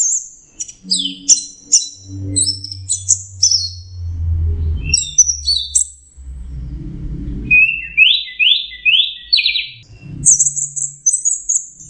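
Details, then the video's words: Teler song of an orange-headed thrush: quick, jumbled high whistles, a series of rising buzzy notes repeated about four times, then a high held trill, with a low hum behind. "suara burung anis merah sedang teler"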